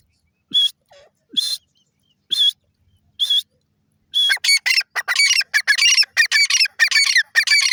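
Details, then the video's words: Francolin from Pakistan calling: a few spaced harsh notes, then a fast run of shrill, rasping, harmonic-rich notes repeated in quick succession, with no other clear sounds. "dasi Pakistani teetar bird sound"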